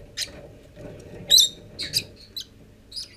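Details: Lovebird chicks, nearly forty days old, starting to leave the nest on 25 December after hatching from 13 November; short high chirps in scattered bursts, one louder squeak in the middle, over a faint low hum.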